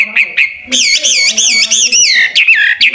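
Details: Clear, ringing whistles from a hwamei (local name wambi), sung as a model for training songbirds: a few short notes, then a run of loud, swooping U-shaped phrases repeated in quick succession.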